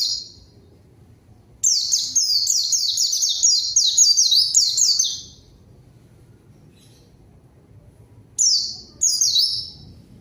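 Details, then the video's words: White-eye singing hard as a lure to call a rival that responds at once: a long burst of about three seconds of rapid, high, falling whistles, a long silence, then two brief runs. "PANCINGAN PLECI GACOR MANGGIL LAWAN PLECI BAHAN LANGSUNG RESPON DAN IKUT BUNYI"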